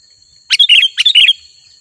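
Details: Sooty-headed bulbul singing, a recording meant to lure wild bulbuls: two quick, bubbly chirping phrases, each a sharp note followed by a warbled tumble, over a faint constant high-pitched whine.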